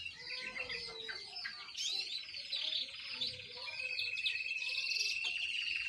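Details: Juvenile canary practising its song, mixing quick chirps and scratchy warbled phrases, then settling into a long, steady, high rolling trill for the last two seconds, delivered continuously.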